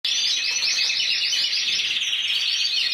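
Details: Intense yellow canary, individual champion of Spain 2014 with 94 points, singing a continuous high, rapid trilled song with fast repeated chirping notes throughout.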